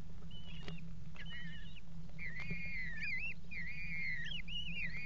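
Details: Eurasian kestrel pair at a nest box on the Axel water tower, mating on its edge, 5 February 2018: drawn-out, quavering, whined notes that rise and fall, several in a row, over a steady hum.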